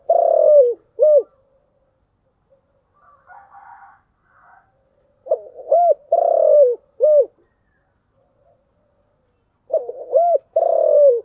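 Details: Three repeated phrases of spotted dove cooing, thổ voice of the chiêu gù type: short rounded hoots and a sustained, gently falling coo, with quiet gaps of several seconds between phrases.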